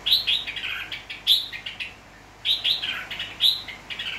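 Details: A red-whiskered bulbul, wild-caught in Nghệ An, Vietnam, and tamed, recorded 29 April 2024, sings two bursts of quick, bright, chirpy phrases, each opening with a high sharp note, separated by a short silence.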